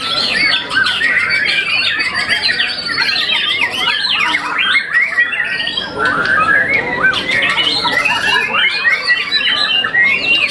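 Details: A once-moulted young white-rumped shama, champion in song contests, delivers a long, busy run of sweeping whistles, twitters and sharp chirps, with a slight dip in intensity around the sixth second before resuming.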